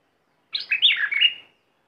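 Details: Red-whiskered bulbul kept as a decoy bird, in aggressive style or wild mate-calling song: one brief warbled phrase of about one second, a quick rising note and then a sliding, slurred, mid-high run of notes, against a quiet background.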